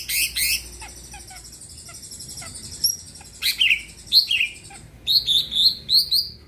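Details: Greater green leafbird, a caged songbird kept to make other birds sing, opening with harsh buzzy notes, then soft chips, then loud slurred whistles and a quick run of rattling notes.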